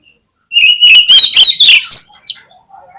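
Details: Oriental magpie-robin (kacer) lure song: a loud rising string of rich whistles mixed with harsh chatter lasting about two seconds, ending in soft low notes.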